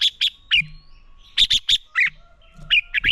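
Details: Fighting song of a red-whiskered bulbul kept for training: short, loud, bright notes repeated in quick bursts, some with a downward twist, over about three seconds.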